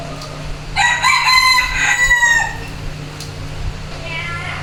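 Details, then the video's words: Rooster crowing: one loud, harmonic crow of about two seconds, holding a drawn-out level tone before falling away, over a steady background hum, with a fainter distant crow near the end. "Gà trống gáy"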